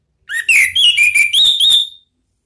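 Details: Orange-headed thrush singing in the "ngeplong" style used to lure kept birds: a rising whistle followed by a string of clear, sweet slurred whistles and warbles lasting under two seconds.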